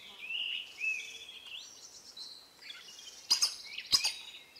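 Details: In Costa Rica, a collared aracari gives high, squeaky, slurred notes in an uneven series, with two sharp snapping clicks near the end.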